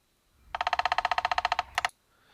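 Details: A Downy Woodpecker drums in an even, rattling roll of about seventeen sharp taps in one second, followed by a brief burst of a few more. Its drumming is slower than a Hairy Woodpecker's.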